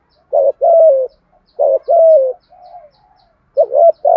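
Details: Spotted dove calling in the 'thổ' voice style, a driving coo used to provoke other doves into answering. Low hollow coos come in paired phrases, a short throaty note then a longer gently falling one, with a soft trailing note between.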